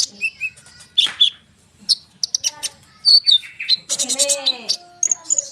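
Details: Konin bird song played to excite sunbirds and other birds into calling; scratchy chirps and slurred whistles, with a harsh buzzy burst midway and bright high notes at the close.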